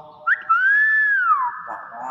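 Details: Talking common hill myna imitating speech, the word "bakpao": one short sharp note, then a long, pure, slightly arched whistle that glides downward and trails off, with people talking indoors around it.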